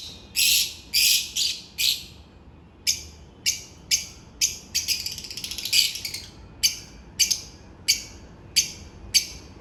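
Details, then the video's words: Rapid series of harsh, high-pitched shrieks from African lovebirds going about their daily routine, clipped notes repeated roughly every half second, briefly merging into a continuous twittering run. "African love birds daily routine"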